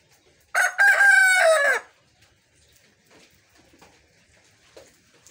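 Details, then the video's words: Homestead rooster lets out one short, lazy-sounding crow of just over a second. It is harsh and rich in overtones and drops in pitch at the close, then gives way to a quiet yard with faint scattered noises. "Rooster hacks crowing."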